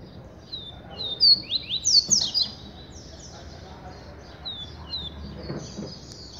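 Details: Double-collared seedeater song: quick slurred whistled notes and sweeping buzzy phrases, loudest in the first half, then softer continued phrases, with faint background noise.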